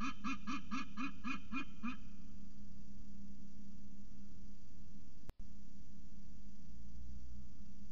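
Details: Peregrine falcon at Orange CSU, honking on coming home, 27 November 2019: a two-second series of six harsh, evenly spaced nasal calls, followed by steady low hum and a brief dropout.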